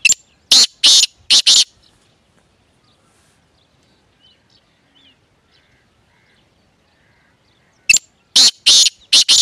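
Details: Grey francolin calling: loud, harsh, grating bursts in a quick series of three, a long quiet pause, then another series of three to four bursts.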